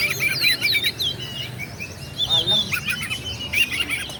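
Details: Song of an Oriental magpie-robin, known locally as kacer, used to bait rival birds into an emotional, fighting response. Clear whistled phrases, some long and gliding, mixed with brief chirps, with a soft low hum beneath.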